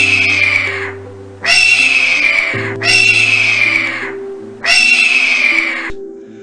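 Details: A North American Red-tailed Hawk gives hoarse, harsh, downward-slurred screams about a second long, repeated every second and a half, over quiet background music, the call often used in films.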